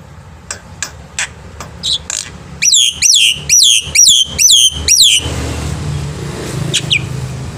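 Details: Black-winged myna singing actively in the morning, a tutor for young birds: a few sharp chips lead into a steady run of loud, falling whistled notes about three per second, then a low rumble.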